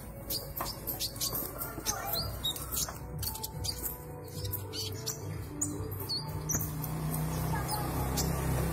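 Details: Young konin (common iora) in green juvenile plumage, learning and practising sounds: rapid short high chirps and clicks, loosely repeated, over a constant low hum and a faint background murmur.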